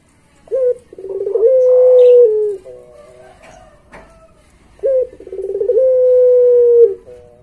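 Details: Puter pelung Barbary dove giving its master song, used to train pet doves. Two matching phrases about four seconds apart, each a short hooked note, a fast stutter, then a long steady low coo that falls away. The pauses between phrases are quiet.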